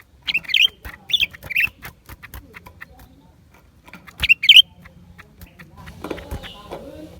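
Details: Lesser green leafbird in January 2023 sings short bright chirp phrases, three quick ones early and a louder pair near four seconds, over light tapping clicks and a low rustle toward the end.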